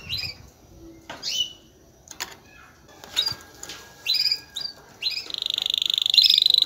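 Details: Male canary, excited, singing to stimulate any female to mate: scattered sharp chirps and quick down-sweeping notes with gaps between, ending in an accelerating high rapid trill.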